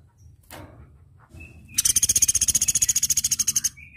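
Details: Flowerpecker (platuk beras) on a tutor track used to train cage birds: a brief high whistle, then a fast, regular, buzzy high trill lasting about two seconds, ending with a short thin note.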